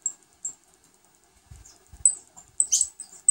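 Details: Saffron finch (named Navidad) feeding its new brood of chicks: very high, thin squeaky peeps in quick, irregular bursts, with a few soft low thumps and rustles in between.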